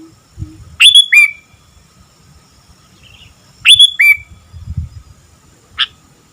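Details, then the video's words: Sooty-headed bulbul singing actively: two loud, liquid phrases about three seconds apart, each a sharp rising whistle followed by a lower downslurred note, then a short chirp near the end. Faint low rumble underneath. "Burung Kutilang Gacor"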